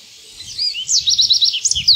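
An American goldfinch twitters in high, thin notes: a quick run of five or six bright chips, then a few sweet rising and falling whistles.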